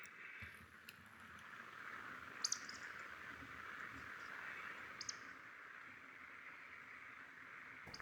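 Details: Male Eurasian woodcock roding at dusk over heathland at Hazeley Heath in summer, patrolling in display flight and calling to attract a mate. Two sharp, high squeaks a few seconds apart, with a faint low grunt early on and a steady hum beneath.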